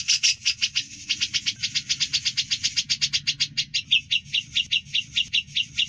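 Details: Grey-cheeked bulbul singing in the ngebren style, clear and lively, recorded as a long training track for contest birds: fast rattling trill of harsh pulsed notes, about eight per second, with a slight pause midway and faint low hum beneath.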